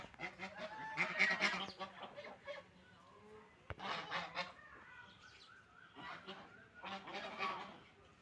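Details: Quieter, patchy calling from ducks while they eat and drink: clusters of nasal honks with gaps, one sharp knock, and a few thin chirps.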